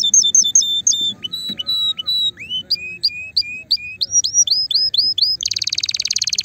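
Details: Mighty canary song meant to ready females for mating: separate two-tone chirps, looping downslurred whistles, a series of hooked notes, then a sudden dense buzzy trill at the end.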